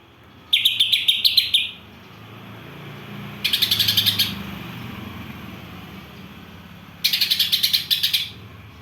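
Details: Greater green leafbird song filled with gereja and kapas tembak phrases. Rapid rattling chatter bursts of about a second each recur roughly every three seconds over a low background hum.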